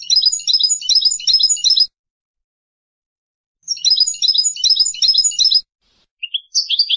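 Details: European goldfinch singing in Palestine: two bursts of rapid, high, tinkling twitters, each about two seconds long and separated by a silent pause, then a few short rising notes at the end.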